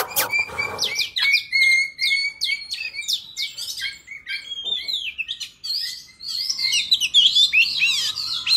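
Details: Oriental magpie-robin singing in wild forest style, a recording used for trapping and for tutoring young birds: a dense run of clear varied whistles, sliding notes and quick high chirps in short bursts. A brief low thump comes at the start.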